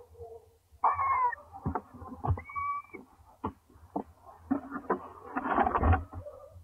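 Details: Owls at a nest early in the first clutch, the male arriving with a mouse for the female but leaving with it; short harmonic screechy calls, sharp clicks and taps, then a loud raspy hissing burst near the end.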